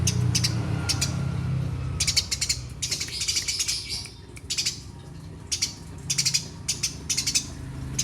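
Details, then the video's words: Lively sparrow chirping in short, sharp clusters of high notes at irregular intervals, backed by a low rumbling hum strongest at the start. "Burung Gereja Gacorrr"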